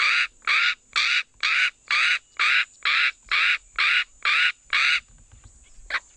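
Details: A Northern black korhaan in Kgalagadi Transfrontier Park (KTP), South Africa, gives ten loud, harsh, rasping croaks at a steady pace of about two per second, then falls silent.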